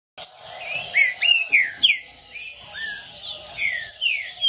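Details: Green-winged saltator in training, singing a lot: a run of slurred whistled notes, many swooping down, some rising, in quick uneven succession. Thin, steady high tones run above them.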